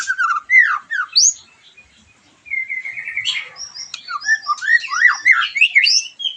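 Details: White-rumped shama singing to stir a bird after moulting: quick downslurred whistles, a pause, a long steady whistle, then a busy flow of high thin notes and rapid zigzag phrases.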